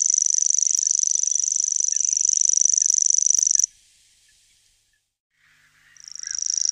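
A common grasshopper warbler reels a high, dry, insect-like trill that runs on without a break.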